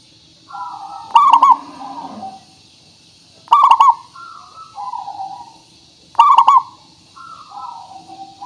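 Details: Local zebra dove with a crystal voice, used to lure birds into singing back. Three loud, bubbling, stuttered coos arrive about every two and a half seconds, each followed by softer lower coos, over a faint low hum and hiss.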